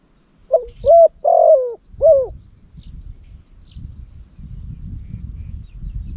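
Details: Loud-voiced decoy spotted dove from Cambodia, kept for luring wild doves, gives one four-note cooing phrase: a short note, two fuller hollow coos, then a falling final coo. Soft low rumbling follows.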